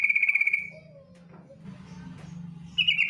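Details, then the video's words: Female yellow-vented bulbul ngetir call summoning a male. A rapid buzzy rattle opens and another begins at the end, with a gap of low droning hum and a faint lower note between. "TRUCUK BETINA memanggil JANTAN ngetir"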